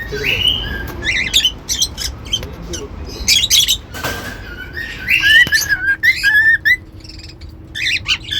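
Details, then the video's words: Cockatiels singing: mixed squawky chirps and harsh notes, then a quick series of whistled notes with rising and falling slides, over a steady low hum. "Cute Cockatiels Whistling & Singing"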